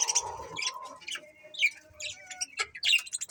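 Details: Budgerigars in a happy colony give a continuous stream of chirps, short whistled notes and squeaks overlapping one another, with soft low background noise.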